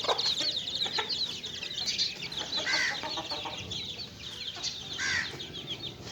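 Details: A group of young chicken chicks at play gives rapid, high, thin peeps in a continuous chorus, with two louder downward-sliding chirps standing out.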